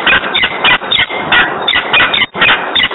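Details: Peregrine falcon screaming at Włocławek on 3 December 2020 at 10:36: a rapid series of harsh, grating, broadband cries packed closely together, with only brief gaps between bursts.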